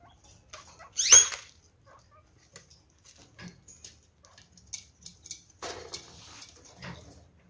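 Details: A budgerigar in a recently formed pair, where the female has turned aggressive toward the male, gives one loud, harsh, rising squawk near the start, then scattered soft chirps and scratchy rustling.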